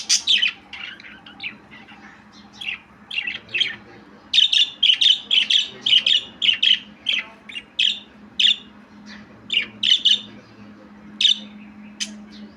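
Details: Budgerigar chattering steadily with a long series of short, sharp chirps, roughly two per second at the busiest, in uneven clusters over a low steady hum.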